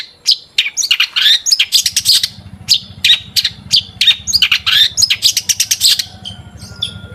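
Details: Long-tailed shrike singing as a lure to prompt other shrikes into song, a fast irregular stream of harsh scratchy chips and short high whistles, about three notes per second, over a low steady hum.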